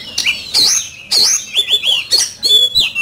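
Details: Oriental magpie-robin singing hard in a song duel: loud clear whistled phrases with sharp downward sweeps, curving and sliding notes, spaced by brief pauses, high and ringing.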